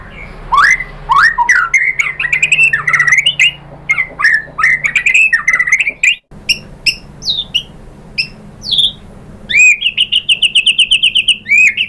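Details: White-rumped shama singing, played as a lure to provoke other birds into song: rapid rich whistled phrases with swooping notes, brief pauses, then a fast trill of repeated high notes near the end.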